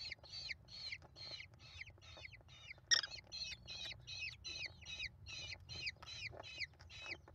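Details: Nest of five American kestrel chicks being fed by their mother, 28 May 2021, live nest camera; evenly repeated harsh downslurred squeals about three per second, with a sharp louder note midway.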